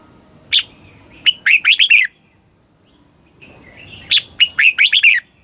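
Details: Red-whiskered bulbul from Thailand, a caged songbird, singing in the southern master song style, played to excite caged birds and teach young ones; two short phrases, each a lone note then a rapid run of five bright, warbled notes.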